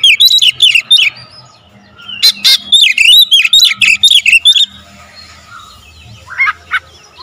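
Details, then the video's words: Oriental magpie-robin (kacer) giving close-packed 'tembakan rapat' song for a lure recording: quick chains of slurred whistles and harsh bursts for nearly five seconds, then near quiet with a couple of faint notes. "PANCINGAN KACER SUPER POWER TEMBAKAN RAPAT"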